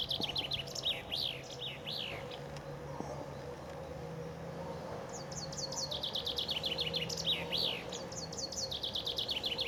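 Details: In spring on the bank of the Ob River near Novosibirsk, Siberia, where several chaffinches sang together, a common chaffinch sings two bright, rattling phrases of quick notes running downward to a flourish, over a low rumble.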